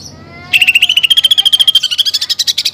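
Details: Greater green leafbird with song full of mimicked sparrow-fight and woodpecker fillers. A faint thin whistle, then a loud, rapid trill of clipped notes that climbs slowly in pitch and grows buzzier.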